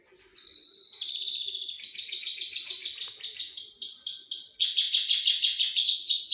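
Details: Crossbill, a kept cage bird, singing in a mating context: long trilled runs of fast repeated high notes, about three a second, shifting pitch between phrases, steady and loud throughout.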